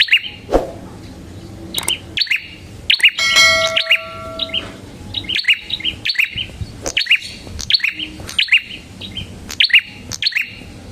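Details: Prinia, a red-headed form, singing vigorously, used as a lure for prinias and as a master song for training songbirds: loud, sharp chirped phrases repeated about every second, with a brief steady ringing tone partway through.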